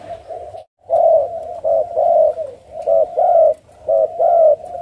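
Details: Captive spotted doves at a breeding farm in Ca Mau, Vietnam, on 6/9/2023, where about 50 pairs are laying and incubating. Soft, mellow coos come in grouped phrases of two or three notes, separated by short gaps, over a low background hum.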